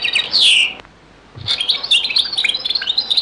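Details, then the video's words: European goldfinch singing in the Beni Messous 'les avocats' (zaboka) style, from a very old recording: a high, bright twittering of quick chirps and slurred notes, a brief pause, then a dense run of rapid tinkling phrases. "تغريد - تسجيلة جد قديمة بني مسوس ليزافوكا | chant beni Messous les avocats zaboka"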